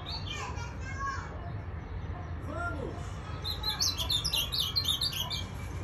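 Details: Ultramarine grosbeak, a bare-throated azulão recorded on January 3, 2021, singing a short burst of rapid high warbled notes near the end, after faint lower whistles, over steady low background rumble.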